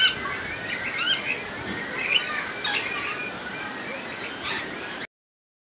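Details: A Little Corella in Campbelltown, filmed in May 2021, gives a few short, raspy, speech-like utterances, one resembling "hello," spaced over several seconds against a steady background hum.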